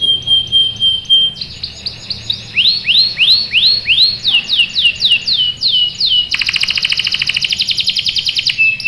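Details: Singing canary, meant to get other canaries to answer and produce rolls: a steady pure whistle, then a series of rising swooped notes about twice a second, closing with a fast buzzing roll of rapid pulses.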